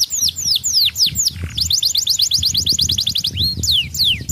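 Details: Song from a young canary, with loud falling chirps, a tight buzzy trill of repeated notes, and a few spaced rising and falling whistles at the end.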